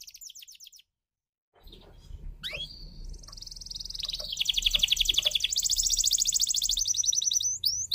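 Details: F1YS canary in full song, played to stimulate canaries that have stopped singing: brief high notes, a pause, then rising sweeps leading into a long loud rapid trill, with faint background hum.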